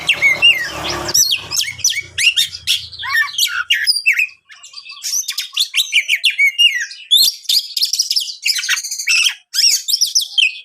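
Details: Champion Oriental magpie-robin (kacer) song, played to agitate other magpie-robins: a rapid, varied run of high whistles, sweeping slurs and buzzy chatter with brief pauses, after a short opening of low rumbling background noise.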